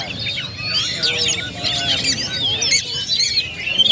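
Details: Several Oriental magpie-robins at a bird-contest area sing at once in rich, overlapping whistles, trills and buzzy phrases, high-pitched and continuous, with a faint murmur of voices behind.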